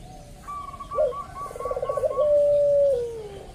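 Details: Local zebra dove lure call meant to set other doves calling: a short hooked coo, then a fast rolling trill and a long gliding note that slowly falls, with a row of brighter higher chirps overhead.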